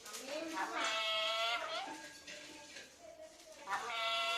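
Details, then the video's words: Caged talking parrot indoors: a loud, strained, voice-like phrase that rises and then slides downward, followed by softer mumbled syllables and another bright phrase starting near the end. "parrot talking"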